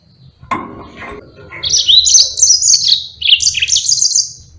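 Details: Yellow-fronted canary delivering an energetic rolling song, recorded to train other birds. After a sharp click, a high, rapid, twittering warble runs unbroken for about three seconds, with a brief dip in the middle.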